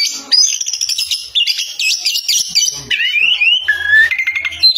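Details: Oriental magpie-robin singing loudly: high wavering whistles, quick looping notes, then a long rising slur and sustained whistled tones, with a faint low hum near the end.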